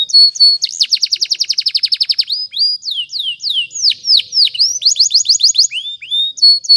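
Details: Canary song for training with powerful varied phrases: a long run of rapid repeated chirps, then slow swooping down-slurs, another quick chirp series and a final whistled note.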